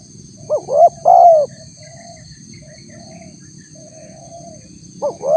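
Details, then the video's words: Spotted dove lure recording aimed at wild doves: a loud three-note coo phrase, then faint softer coos from another dove, and a new phrase beginning near the end, with a steady high hum. "suara tekukur PALING DI CARI untuk memancing respon tekukur liar"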